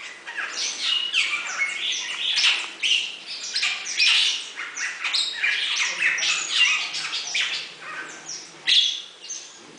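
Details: A Bali myna (Leucopsar rothschildi) at Avifauna, Alphen aan den Rijn, gives a nearly unbroken run of harsh, scratchy chatters and squawks with short bright whistles mixed in.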